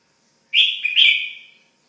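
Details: Pet red-whiskered bulbul calling once with a bright, slurred whistled phrase of two linked parts, steady then gently falling, lasting about a second.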